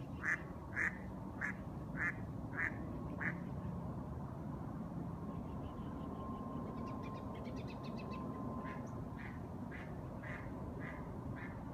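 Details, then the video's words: A duck calling as the day ends: a run of six loud, nasal quacks spaced about half a second apart, a quiet stretch with fainter rapid chatter and a thin steady tone, then more quacks resume. "Duck is calling to end the day"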